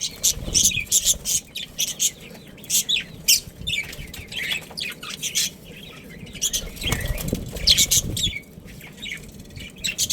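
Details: Budgie breeding pair of Australian parrots calling in uneven bursts of bright chirps and scratchy warbles, with clicking rattles and occasional low knocks between them.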